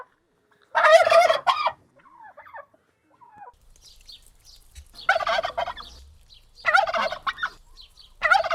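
Turkey gobbling in loud, rapid rattling bursts about a second long, repeated several times with quieter clucks between.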